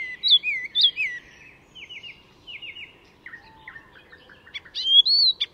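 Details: Master mimic Icterine warbler at Fysingen reserve near Stockholm: looping whistled slurs, soft descending trills, a low buzzy note and rising twitters ending in a bright, ringing whistle.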